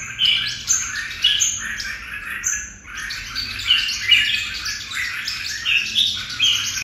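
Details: Red-whiskered bulbul singing a dense, lively run of rapid chirps and short bright whistles, with brief high piercing notes between phrases and almost no pause throughout.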